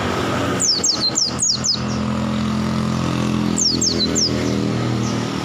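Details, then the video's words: Wild-caught oriental white-eye giving two bursts of high, quick descending whistled notes, five then three, separated by a pause, over a constant engine hum. "BURUNG PLECI NGALAS SAMPE BUKPAR GACOR"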